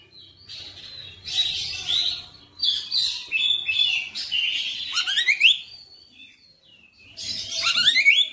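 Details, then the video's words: Oriental magpie-robin singing persistently through its full range of material: bursts of harsh chattering and rich whistled phrases, some rising steeply, separated by short gaps, with faint low background noise. "KACER NGOTOT GACOR FULL BONGKAR MATERI"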